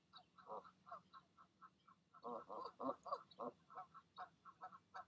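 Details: Goose parents coaxing goslings to leap from the nest on an evening in May; rapid nasal grunting notes, rising to a louder cluster of harsh honks mid-way, faint high peeps.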